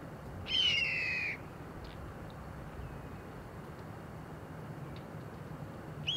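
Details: Steller's jay at a treetop giving one loud, harsh, grating call, then several seconds of quiet background hiss with faint distant ticks.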